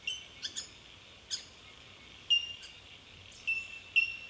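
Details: Bell miners from Victoria, Australia, recorded in March 2011, with a run of crisp tinkling pings, some doubled, spaced about a second apart above continuous faint high ringing.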